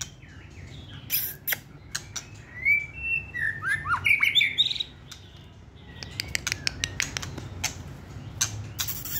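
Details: Competition white-rumped shama kept in a cage, singing in the hand: fluid rising and falling whistled phrases, followed by a long series of crisp clicks and short high notes over low hum.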